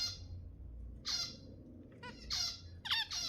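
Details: Zebra finch calls used to stimulate mating: loud, nasal, trumpet-like honks in bursts, one near the start, another after a second, then a rapid cluster of four or five, over quiet room hum.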